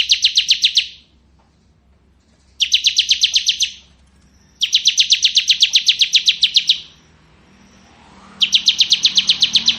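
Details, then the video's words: Ciblek kristal, or bar-winged prinia, ngebren song: four long bursts of dense, buzzing high-pitched notes at a steady fast pace, separated by brief quiet spells with a faint low hum. "Suara Burung Ciblek Ngebren"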